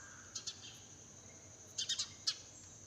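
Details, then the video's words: Chirping sparrow in a garden at early morning, where crows, pigeons and other birds also call: a pair of quick chirps, a pause, then a rapid burst of three and a final chirp, over a steady high hum. "Chirping sounds of sparrow in the garden."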